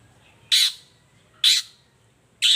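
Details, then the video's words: Long-tailed shrike in full morning voice, used as a lure to make quiet shrikes answer and start singing: three harsh, buzzy, squawking notes, each short and loud, spaced roughly one second apart, with a quiet background hum. "toet toet Suara cendet gacor Pagi Hari pancingan jitu BIKIN cendet diam langsung nyaut ikutan bunyi"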